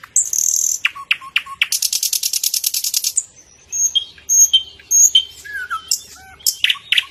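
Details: A thrush nightingale (Luscinia luscinia) sings loud, varied phrases in the morning: sharp high notes, a fast dry rattling trill, then scattered whistles and clicks. Nothing else is heard.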